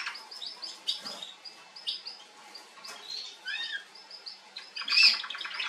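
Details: Female Atlantic canary recorded 21 January 2022, singing softly amid a busy run of short chirped notes, brief rolling trills and a few downslurred phrases, ending in a louder rattling burst.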